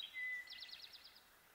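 Kirtland's warbler: a thin whistle sliding downward, then a quick run of about eight bright, high notes, over a soft background hiss.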